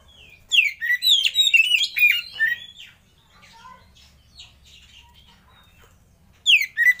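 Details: Oriental magpie-robin singing a lure song meant to provoke other birds into song: a dense burst of loud varied whistles and chirps for two seconds, faint softer twitters, then another loud phrase begins at the end.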